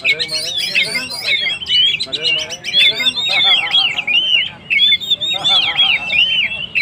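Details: Lively Oriental magpie-robin song meant to stir up stressed birds: continuous run of clear whistles, quick upward and downward slurs and scratchy trills, with short gaps between bright phrases.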